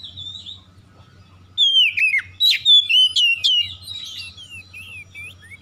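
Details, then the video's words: Oriental magpie-robin song used as a lure to make silent magpie-robins start singing: loud rich whistled phrases with sweeping slurred notes and sharp downward strokes, bursts about every half second after a quiet start, low steady hum beneath. "PANCINGAN TERCEPAT KACER MACET BUNYI LANGSUNG GACOR"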